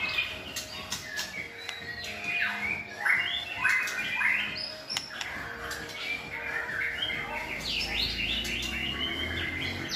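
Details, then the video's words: Shamas with fine voices sing to train another white-rumped shama; clusters of quick downward whistles and chips repeat in bursts over a constant background hum. "NÀI CHÒE LỬA | Đào tạo THANH cho lửa chuyền"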